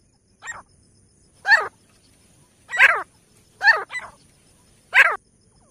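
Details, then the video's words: Grey francolin (teetar), Pakistan, loud harsh harmonic call notes given in a series of five, about one per second, some doubled, over a quiet background with faint low hum. "best teetar ki awaaz"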